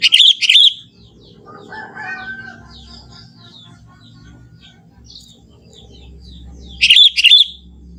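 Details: Wild young Sooty-headed Bulbul from the forest sings its plain natural song: a bubbling two-note phrase at the start and another nearly seven seconds later, with faint chirps and low background hum in between.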